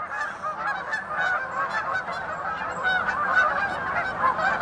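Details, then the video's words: Geese returning home at winter's end, with a loon present and water broken up, honk continuously in a loud, overlapping chorus of harsh, nasal calls while dogs also make noise. "GEESE AND DOGS ALL MAKING NOISE"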